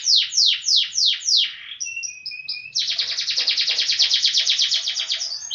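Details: Yorkshire canary song with a long roll: five loud slurred descending notes, a few thin short whistles, then an extended fast, even trill lasting about three seconds.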